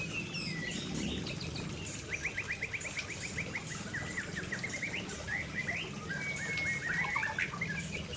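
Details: Aceh white-rumped shama singing close to a waterfall: a rapid, evenly repeated series of short sharp notes, then mixed chirps and a long thin whistle, over low rumbling water noise.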